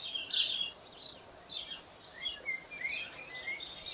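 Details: Family of house sparrows nesting in an ivy-covered wall, dust-bathing on freshly dug soil in the heat, chirping in short bright overlapping bursts over soft outdoor hiss.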